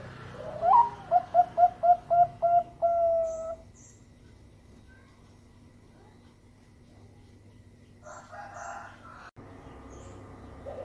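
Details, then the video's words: Bangkok-type zebra dove sings a sweet lure song to draw other doves into singing: one sharp rising note, six rapid clipped coos and a held final tone, then near silence and a brief burst of rustling noise. "Pancingan perkutut suara merdu"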